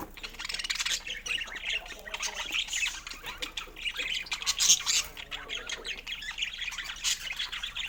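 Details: Pet budgerigar giving continuous high-pitched chattering, dense scratchy chirps and squeaks with no clear rhythm, running without pause throughout, possibly with more than one bird.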